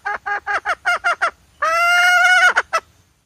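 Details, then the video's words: Hen call played as a trapping lure: a burst of short, rapid nasal notes, then one drawn-out honking note about a second long, followed by a few quick clipped notes. "suab poj qaib seev zoo cuab"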